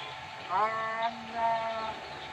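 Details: Chatty young Nias hill myna from North Sumatra, Indonesia, beginning to learn speech. Two short human-like voiced phrases, the first louder, are set against a steady low background hum.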